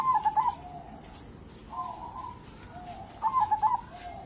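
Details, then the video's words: Actively singing local zebra dove, its song used as a lure for other birds: mellow cooing phrases, a loud stuttered burst opening and another near the end, with quieter drawn-out coos between, over faint hiss. "burung perkutut lokal gacor cocok buat pancingan"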